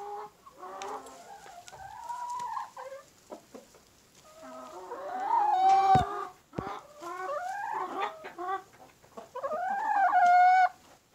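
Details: Black rooster of a special Indonesian breed with black eyes, skin and meat, among his chicken flock; overlapping wavering clucks and drawn-out nasal calls from several birds come in bursts, rising and falling, with scattered clicks and knocks between.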